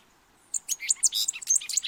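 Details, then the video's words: Colombian thick-billed euphonia song: a rapid, tumbling run of high, thin chirps and short tweets that starts abruptly and keeps going without a pause, with no other clear sounds. "Fruterito Picudo, sonido de su canto el mejor para llamar."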